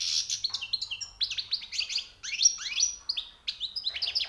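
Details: European goldfinch, recently caught, giving its high, rare song notes: continuous fast twittering of steep falling chirps, tinkling trills and bright whistled notes with only brief pauses.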